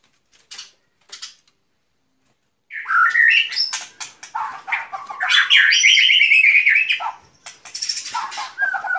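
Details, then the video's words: White-rumped shama singing: a few faint notes, then a loud varied burst of whistles, slurred warbles and a fast rolling trill, with sharp high clicks. "Relaksasi suara Burung Murai Batu"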